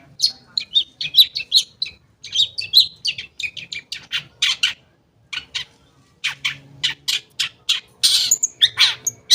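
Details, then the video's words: Lure song of a long-tailed shrike for coaxing silent birds to sing: quick varied chatter of sharp high chips and whistled slurs, then a run of rough buzzy bursts after a short pause. "Pancingan Cendet Ampuh, Pancingan Cendet Bahan Atau Macet Bunyi, Cendet Macet Akan Ikut Bunyi"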